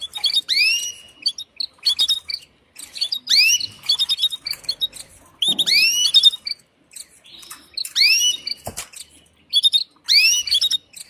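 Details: Female canary calling the male to mate, uttering repeated arching whistled notes that rise then fall, mixed with short high chirps, in clusters roughly every one to two seconds.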